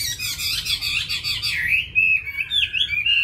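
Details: Chinese hwamei kept as a cage bird, mimicking many wild-bird voices: a dense burst of rapid chattering notes, then clear sliding whistles that dip and rise again.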